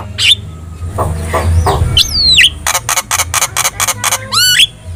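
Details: Javan myna singing a tutor song meant to make other birds respond: varied sharp chirps, a run of rapid repeated buzzy notes, and rising whistled slurs at the end, with low rumbling background noise.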